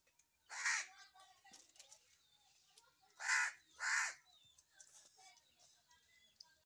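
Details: Three loud, hoarse crow caws, one alone followed by a close pair after a pause, with soft bird chatter and chirps filling the gaps.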